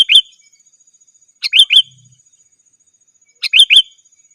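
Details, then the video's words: Sooty-headed bulbul challenge call, used as a lure for wild birds: quick bubbly phrases of three rising-falling notes, given three times about two seconds apart, otherwise quiet. "Suara Burung KUTILANG GACOR 100% Ampun Untuk Suara Panggilan dan Masteran"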